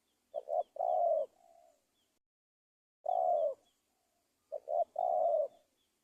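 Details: Spotted dove lure call from Indonesia for attracting wild doves: double-note and long-coo phrases with a lone long coo between them, while faint high chirps from a small bird sound in the background.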